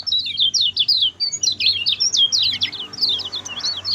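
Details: Short fast song of a lemon-bellied white-eye used to train other birds: continuous high, sharp chattering notes sung quickly, with faint low background hum.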